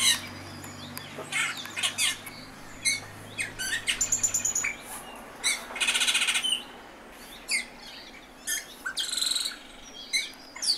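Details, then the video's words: Austral thrush delivering a long run of varied song: sharp chips, rapid rattles, whistled upslurs and harsh buzzy bursts in uneven succession, with a low hum during the first half. "Tordo do Chile"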